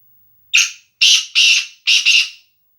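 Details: Male black francolin, kala teetar, used for training, calling in the nasal Sindhi style: a harsh, grating phrase of four loud notes in about two seconds, a short first note then three longer ones, the last split in two; nothing else audible.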